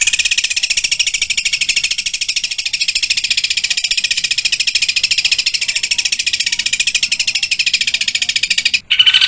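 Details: Long, unbroken 'tembakan' roll by a long-tailed shrike: grating high notes chattered rapidly for about nine seconds, with one short break just before the end.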